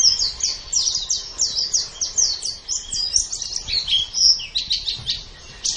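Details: Energetic 'gacor' white-eye (pleci) song from a masteran training recording: rapid, high, scratchy chirps strung together almost without a break, slightly buzzy notes in the middle, steady in loudness throughout.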